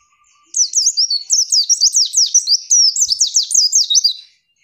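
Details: Continuous four-second run of quick, high, sweeping zigzag notes from a female pleci (white-eye), used to provoke males into singing back as they would in the wild; no other sounds.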